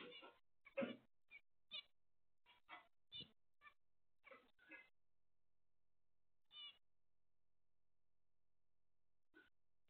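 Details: Daily-life recording of zebra finches giving a rapid series of brief nasal, trumpet-like beeps, about a dozen close together at first, then a long pause and a few isolated calls.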